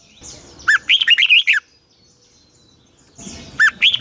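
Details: Red-whiskered bulbul singing in the morning, a long double twisted song style used as a decoy recording to train other birds: two bright warbled phrases of rapid rising and falling whistled notes, separated by a quiet pause.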